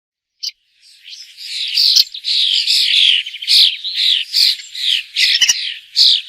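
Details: A bird gives a run of harsh, buzzy chattering calls, each burst around a half second long, repeated roughly twice a second with short gaps, high-pitched and noisy throughout.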